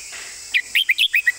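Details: Red-whiskered bulbul delivering its 'master song' phrasing distinctly: a run of six short, bright whistled notes with slurred up-and-down inflections, set against a constant high background buzz.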